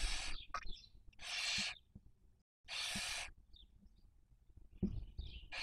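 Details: Barn owls at a nest during the 2023 breeding season in Cabañeros National Park, Castilla-La Mancha, Spain, caught by a nest webcam: two long, harsh, breathy hisses about a second apart, with soft short squeaky notes between them.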